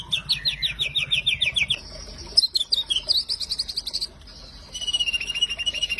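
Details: White-rumped shama in vigorous, nonstop song: fast trilled whistles falling in pitch, then sharp high chips and a wavering rising trill, ending in a steady buzzy run of repeated notes.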